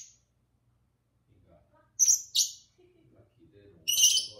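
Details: Two companion lovebirds singing: after a quiet start, two sharp high chirps in quick succession, a short pause with faint murmuring, then a longer shrill chattering burst.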